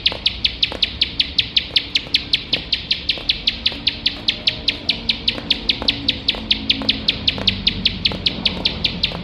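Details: Nonstop nembak-style song of a bar-winged prinia, recorded for tutoring competition birds: a long even stream of crisp, high, clipped notes, roughly five per second, with a low hum underneath.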